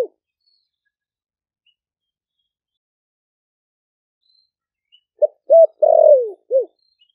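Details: Caged spotted dove from Ninh Thuận, wild-caught and kept four months, giving a single deep 'thổ sấm' coo phrase to call doves in after a long silence: a short note, an upswept hoot, a long descending coo and a short end note.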